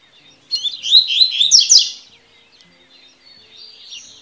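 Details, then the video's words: Double-collared seedeater (coleiro) song, 'tui tui' style, played for training young birds: a fast, bright jumble of high twittering notes lasting just over a second, preceded by a sharp chip. "CANTO DO COLEIRO TUI TUI PARA TREINAR E ABRIR CANTO"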